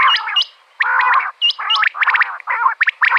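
Common quail female calling: harsh, buzzy bursts broken by quick rising chirps, about six phrases in three seconds, with no other sounds.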